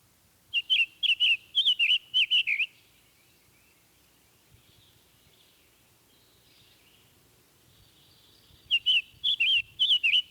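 Summer Tanager song: a quick run of about eight short, robin-like whistled phrases, some slightly harsh. A pause follows, then a second similar burst.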